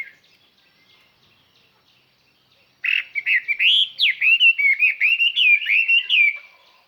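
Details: Decoy Chinese hwamei singing to attract other birds. After a near-silent start it breaks into a rapid, sustained stream of clear, ringing whistles, with notes sliding up and down about three times a second.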